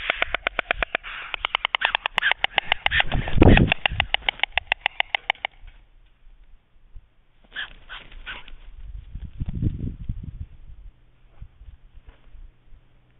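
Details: White stork at Jaczno on the evening of 23 April 2021, during an attack by a second female, clattering its bill in a fast, dry rattle of wooden clacks for about five seconds, then a shorter burst, with low wind rumble.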